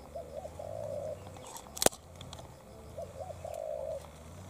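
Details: Spotted doves, a decoy challenging a quality wild bird: hoarse coo phrases, short notes then a sustained coo, twice, with a loud sharp knock between them.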